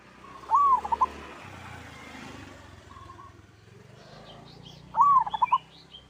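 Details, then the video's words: Zebra dove of local stock in kerot-style song, used as a prompt for other doves: two arched, stuttering cooing phrases about four seconds apart, separated by a soft coo, over a low rumbling background. "Suara perkutut lokal gacor kerot AMPUH bikin nyaut seketika"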